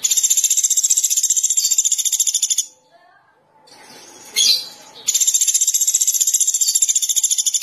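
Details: Sunda pygmy woodpecker, known as pelatuk beras, singing actively: a long, rapid, buzzy high trill of evenly spaced pulses runs about two and a half seconds, a pause with a low hum and a sharp note, then the trill returns.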